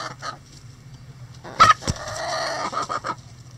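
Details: Rooster crowing in a coop where chickens relax and scratch: a loud, harsh, drawn-out call of about a second and a half, trailing off into a few shorter broken notes over a steady low hum.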